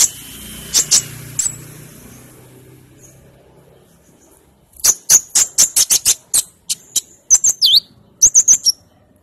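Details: A sunbird (called a hummingbird, kolibri ninja) gives a quick run of thin, very high chips and short down-slurred twitters, about three notes a second, after a few seconds of faint traffic rumble.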